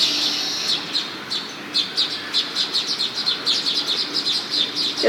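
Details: Several Baya weavers in front of a house in Hyderabad chatter together in high, buzzy chirps that tumble over one another several times a second, growing busier toward the end.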